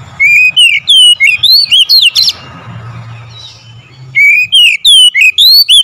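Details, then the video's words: Provoking lure song of a kacer, or oriental magpie-robin: a lively phrase of loud, clear upslurred whistles about three per second, a two-second quiet spell with faint low rumble, then the whistling phrase resumes. "SEKALI PANCING KACER LANGSUNG GACOR NAIK EMOSI"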